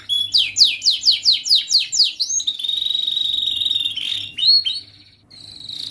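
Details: Young canary singing as a master recording for juvenile canaries learning to sing; fast series of descending whistled sweeps repeated about twice a second, then a sustained pure high whistle and short rising upslurred notes.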